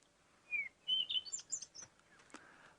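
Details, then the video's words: A Cape Robin-Chat recording played from a phone: a quick run of clear, high whistled notes, sliding and varied in pitch, over a faint background hiss with one soft click. "this is the cape Robins call"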